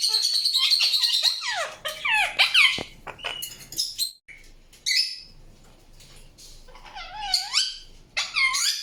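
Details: Bursts of screechy, sliding chirps and squeaks from an Indian ringneck parakeet, with long quiet stretches in the middle before a final run of wavering, bending calls.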